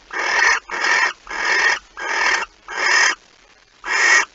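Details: Barn owl nest at 05:14 on 26 August 2019, with the night's second mouse being brought in: six short, harsh hissing bursts of about half a second, given at a steady, fairly quick rhythm.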